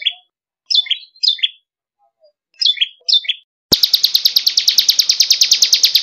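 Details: Bar-winged prinia (ciblek kristal) in a tutor recording: five short clusters of bright, twisting chirps spaced by silences, then a sudden switch to a rapid, regular train of high buzzy notes.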